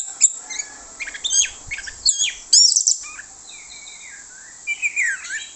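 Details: Lure song of an orange-headed thrush, plong bongkar usian style, meant to bait rival thrushes: varied high chirps and sharp notes, then a few long gliding whistles sliding downward near the end.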